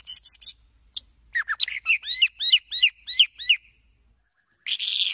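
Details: White-rumped shama song used as a lure to provoke other birds into singing quickly: a few harsh broadband bursts, then a run of clear whistled, slurred notes repeated rapidly, ending in another harsh burst.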